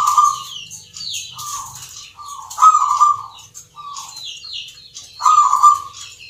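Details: Zebra dove in a Yogyakarta singing contest for the Nglagu Ngepat Mentaraman style: a series of rolling coo notes, louder phrases near the start, middle and end, mixed with high falling whistles from other birds.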